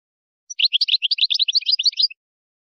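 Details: European goldfinch singing a Moroccan-style wydani song used for tutoring goldfinch chicks and hybrids: a fast, dense twitter of short high chirps and buzzy notes lasting about one and a half seconds, clean with no other sounds.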